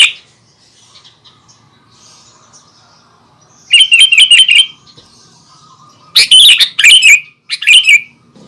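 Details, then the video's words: Sooty-headed bulbul singing to set off other bulbuls: a short run of even, rapid chirps, then a few loud, harsh slurred notes after a pause. "kicauan suara kutilang gacor asli bikin kutilang lain bikin emosi langsung"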